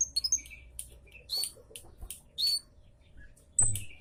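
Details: Javan munia lure call: sharp, high chirps with bent, downslurred notes, given in short irregular bursts about once a second, with a few fainter ticks between them.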